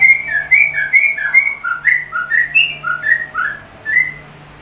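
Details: Sooty-headed bulbul song copying a white-rumped shama, a steady run of bright whistled notes about two per second, alternating higher and lower, each short and slurred, ending after a final rising whistle.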